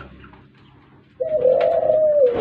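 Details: After a quiet second, a Barbary dove (Streptopelia risoria, puter pelung) gives one long, steady, low coo that dips slightly at its end, over faint indoor background noise.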